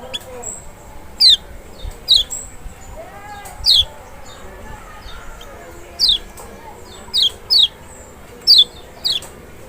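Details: Lemon-bellied white-eye, the larger Lombok or Sumbawa kecial, sound to provoke a response from a lazy singer: sparse sharp descending high notes, single or paired, spaced a second or more apart over soft background noise.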